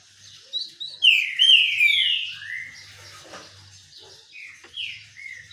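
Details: Green-winged saltator in the sun, singing a strong phrase of clear whistles that swoop upward and then slide down, followed by quieter echoing notes and a faint low rumble beneath.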